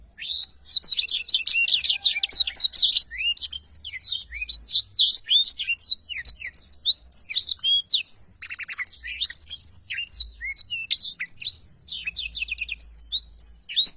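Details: Nonstop rapid song from an energetic black-throated canary, used as a tutor for training songbirds: dense high chirps, slurred whistles and twitters continuing for fourteen seconds without a break.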